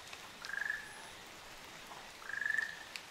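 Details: Ruddy kingfisher couple on Amami Oshima, Japan: two clear rattling trills made of rapid pulses, each about half a second long and slightly rising, roughly two seconds apart, with faint hiss and occasional ticks behind.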